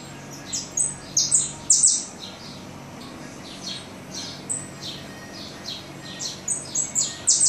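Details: Hungry saffron finch chicks begging while being fed in the nest: thin, high chirps in quick clustered bursts, loudest around the first two seconds, then scattered softer peeps over a steady faint background hiss.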